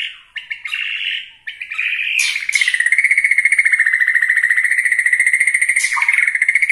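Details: White-rumped shama of the Borneo type singing in a style said to enrage other shamas: brief rising notes, then a long, steady, rapid trill repeated about three to four times a second, with a high sustained overtone.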